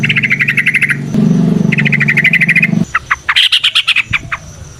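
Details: Lively yellow-vented bulbul singing from the wild, long rapid phrases for luring other birds: fast buzzy trills, then a run of sharp separate chirps, over a low rumbling background.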